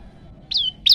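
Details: Two loud, high, ringing chirps from a hungry olive-backed tailorbird (prenjak lumut) in full voice, each note sliding downward and slightly buzzy, the second starting just after the first ends, in an otherwise quiet setting.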